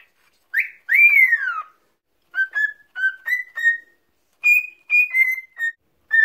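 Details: Male cockatiel, about 4 years old, whistles a learned tune ("If You're Happy and You Know It") in clear, pure notes with a rising-then-falling opening phrase, indoors as a free-flying pet.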